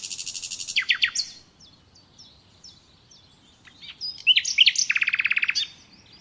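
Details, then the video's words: A common nightingale sings a varied phrase: a rapid high trill, descending notes and soft whistles, then a loud, fast, rattling run of repeated notes. "Doğal Bülbül Sesi Dinle"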